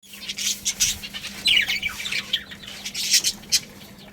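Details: Pet budgerigar colony chirping: dense, scratchy high twitters and warbles in quick bursts, with a few brighter whistled notes near the middle and a steady low hum underneath.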